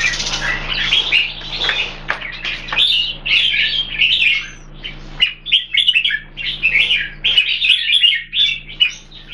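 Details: Two caged red-whiskered bulbuls kept Singapore-style, shown side by side: fast, busy warbling of short bright chirps and slurred notes, bursts of phrases separated by brief pauses, with a faint low electrical hum beneath.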